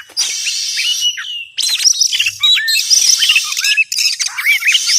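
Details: Oriental magpie-robin lure sound for trapping, a loud mix of harsh buzzy rasps and scratchy notes with rapid whistled chips and short rising slurs, plus a brief faint low hum.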